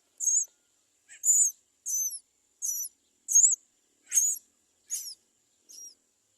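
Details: Great myna chicks crying at the nest for food while the parent does not bring any; high, thin squeaky calls repeated about every 0.7 seconds in a steady series, with a brief lower rasp between them.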